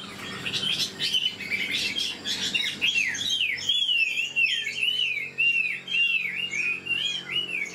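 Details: Chinese hwamei, old and taken from the wild, praised for its voice and quick song. Rough, noisy notes lead into a clean series of repeated, swooping whistled phrases delivered rapidly.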